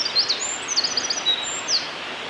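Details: Eurasian wren singing at Hyuga Valley on 27 March 2022: brief high, sharp notes and quick downward-sweeping chips, with one thin sustained whistle, over a steady rushing background hiss.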